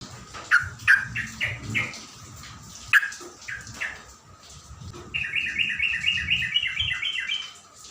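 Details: Songbird singing in the morning to provoke and rouse other birds: spaced clear chirped notes, then a fast, even trill of repeated notes, with a steady faint hum in the background.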